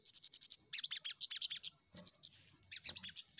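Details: Energetic crimson sunbird song, played as a lure to draw rival birds: a rapid run of shrill high chips flowing into dense, tumbling twittering phrases with brief pauses between bursts.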